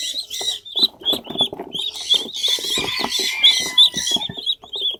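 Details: Several pet ducklings at a farmhouse, lively and hard to catch, give a dense stream of high, thin peeps, about three a second, overlapping one another, while a person speaks in Bengali and handling noises sound underneath.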